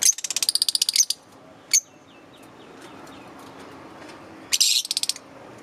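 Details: Green Fischer's lovebirds chirping: a quick rattling series of about a dozen ticking notes, a single sharp chirp, quiet, then another fast buzzy chattering burst.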